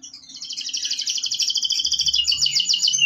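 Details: Masteran therapy song by a local canary: a quick, evenly pulsed trill that grows louder, turning into a brighter, higher rattle at the end; faint low hum beneath.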